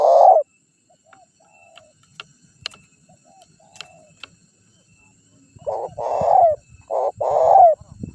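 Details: Spotted dove lure call meant to draw wild doves in: a single coo, then several seconds of quiet with faint clicks and taps, then two deep coo pairs, each short note leading into a longer, falling one.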